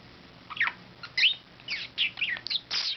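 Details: Pet budgerigar on Christmas Day, in a happy mood, chatters in quick, scratchy chirps and rising whistled notes.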